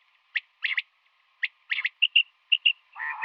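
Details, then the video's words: Female common quail calling in the morning: sharp single notes and quick triplets, then paired higher chirps, ending in a harsh buzzy burst. Quiet between the calls. "Batair Ki Awaz |Female Quail sounds | Common quail Calling in Morning"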